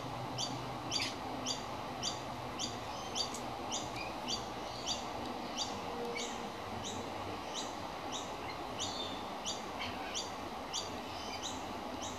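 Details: A young magpie gives short, high, squeaky begging calls about twice a second, announcing that it is hungry, over a steady low rumble of background noise.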